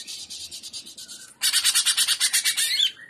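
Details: Trotolan song of the cucak ijo, the Greater green leafbird, in gaya udang style: a steady fast rattle of harsh pulses that grows louder halfway through, with a brief whistle near the end.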